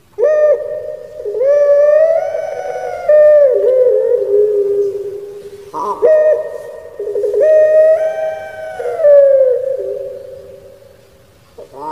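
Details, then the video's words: Puter pelung, a Barbary dove kept in Indonesia, delivering its crying 'menangis' song: repeated long harmonic coos, swelling and falling, each introduced by an abrupt gurgling note, two full phrases. "𝙋𝙪𝙩𝙚𝙧 𝙋𝙚𝙡𝙪𝙣𝙜 𝙎𝙪𝙖𝙧𝙖 𝙈𝙀𝙉𝘼𝙉𝙂𝙄𝙎 // 𝙋𝙪𝙩𝙚𝙧 𝙇𝙖𝙣𝙜𝙠𝙖𝙝"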